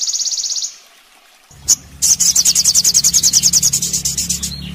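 Sogon song: high, rapid trills of sharp repeated notes, a brief trill then a longer run of about six notes a second, with a faint low hum underneath.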